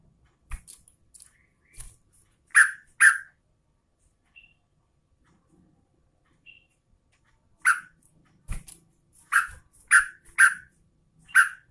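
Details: Female Yellow-vented Bulbul calling for the male: two loud rich notes, a long quiet gap, then a run of six bubbly chirps spaced about half a second apart.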